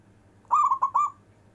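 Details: One rolling phrase of a local zebra dove's long-breath song, suited to calling lazy doves: mellow cooing notes pulsed rapidly four times, the final coo sustained and fading.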